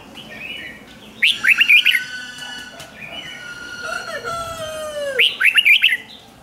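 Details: Red-whiskered bulbul song in the 'rik' style, played to excite caged birds: two bright bursts of quick, looping whistled notes, each about a second long, separated by longer drawn-out, slowly falling whistled tones.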